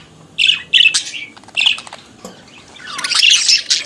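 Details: Pet budgerigar, a small Australian parakeet, chattering: short bursts of scratchy, warbled chirps in three or four clusters separated by brief pauses, the last burst longer and denser.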